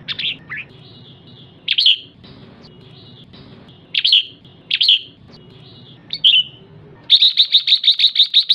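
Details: Female red-whiskered bulbul doing the ché call to stir up males: scattered sharp, slurred chirps with quiet gaps between them, ending in a fast, even string of about nine clipped notes.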